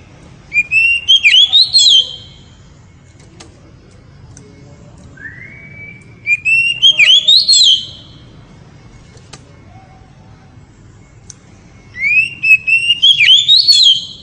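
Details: Oriental magpie-robin singing in the ngeriwik style, said to excite the female: three loud bursts of rapid, high, warbling whistles about six seconds apart, with a single slurred rising whistle between, over a low steady hum.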